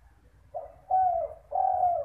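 Spotted dove cooing: a short soft note, then two longer mellow hoots, each steady then gently falling, low-pitched and hollow.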